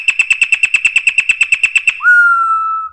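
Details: Brazilian campo troupial giving canto mateiro song, a style used to teach the young: about seventeen quick repeated whistled notes in under two seconds, followed by a sustained clear whistle that rises briefly, then slowly falls.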